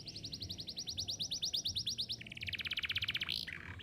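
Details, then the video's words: Canary singing to prompt young canaries to learn song: a steady fast series of high downslurred chirps, switching to a denser buzzier trill, ending in a few sweeping notes. "Kenari Gacor Cuit-cuit Efektif Buat Pancingan Kenari Paud Belajar Bunyi"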